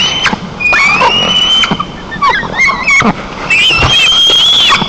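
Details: White-tailed eagle arriving at its nest in Nizhnyaya Kama National Park, Tatarstan, on 5 August 2024, calling loudly: loud, shrill yelping whistles, some drawn out and wavering, others short and clipped, in close succession.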